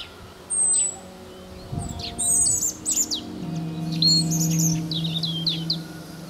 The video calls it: European Robin singing